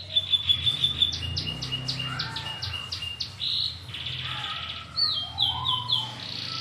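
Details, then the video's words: Local brown canary in long rolling song: a run of repeated high whistled notes, then stepped buzzy phrases and brief trills, over a low steady hum. "SUARA BURUNG KENARI NGEROL PANJANG!"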